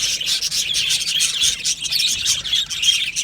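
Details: Many budgerigars kept in an aviary chirp and warble in a thick, continuous high chatter, short squeaky notes overlapping in quick succession.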